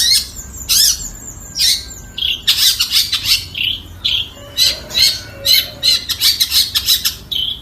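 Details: Long-tailed shrike singing strident, rasping notes and piercing whistles. The song builds into a quick, rhythmic run of harsh chirps toward the end.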